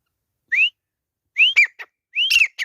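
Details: Grey francolin (teetar) calling during a fight: a loud rising whistled note followed after a pause by two phrases of upslurred whistles, each with sharp clicky notes trailing behind, in otherwise quiet surroundings.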